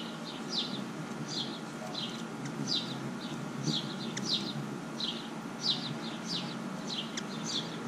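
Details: Hummingbird giving short, high, scratchy chips in small bursts, about one every second, over a low steady rumble of background noise.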